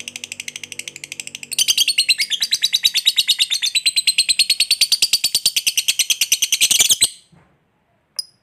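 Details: Ngekek, the long chatter of a fighter lovebird, used to provoke rival birds to respond. Softer chattering notes build into a loud, fast, harsh stream of high pulses lasting about five seconds. The stream ends abruptly, followed by a single late squeak.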